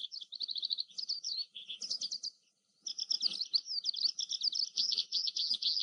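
An Oriental skylark pours out a fast, high, buzzy warble of rapid trills and chirps, broken by a brief pause before the torrent resumes.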